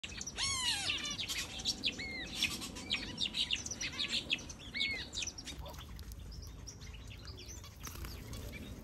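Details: Finches in an aviary make a busy chorus of bright, downslurred chirps and quick tweets that overlap at a fast, uneven pace, with a soft background hiss.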